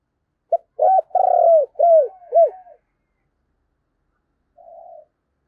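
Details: Decoy spotted dove giving an urging coo in the Tet season to lure wild doves: a short clipped note, then a long rolling coo and several arched, falling coos in quick succession, followed by one faint later note.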